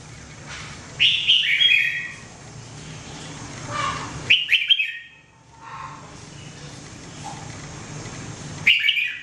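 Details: Red-whiskered bulbul, known as jambul, singing for training: several short phrases of sweet, rapid warbled notes, each lasting about a second, with a softer lower note between and low background hum.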